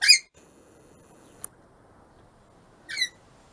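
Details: Pet rainbow lorikeets kept at home give two short, loud, rasping screeches about three seconds apart, with a faint click between them in a quiet room.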